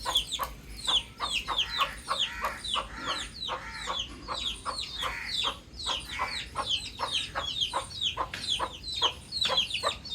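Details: Baby chicks outdoors peep steadily in high, thin, downward-slurred chirps, several per second and overlapping, with softer lower clucking notes underneath.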